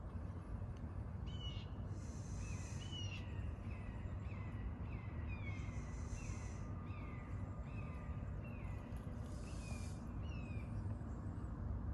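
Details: A red-shouldered hawk gives a long series of clear, downslurred "kee-ah" calls about twice a second, over the steady rush of a flowing creek, on 8 January 2020.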